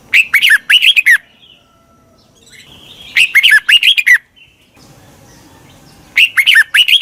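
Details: Red-whiskered bulbul decoy phrases used to lure wild birds: three bursts of rich, bubbling, up-and-down warbled notes, each about a second long, separated by roughly two-second pauses of near silence.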